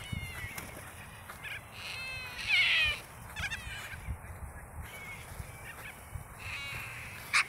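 White cockatoos give harsh, grating squawks in scattered bursts, the loudest around midway, with fainter raspy chatter between calls and a steady low rumble.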